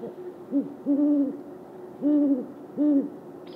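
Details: A male and female great horned owl calling back and forth give deep, soft hoots: a brief one, then three longer, drawn-out hoots spaced about a second apart over a quiet background.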